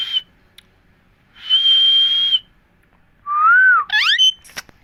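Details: Indian parrots talking, repeating 'Mithu Miya Mithu': a short high whistle, then a long steady one, then a curving whistle that falls away, followed by quick rising overtone-rich notes.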